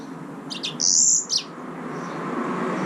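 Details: Short high phrase from a yellow-fronted canary, the green singing finch: a few sharp chirps around a bright sustained buzzy note lasting about half a second, then quiet background.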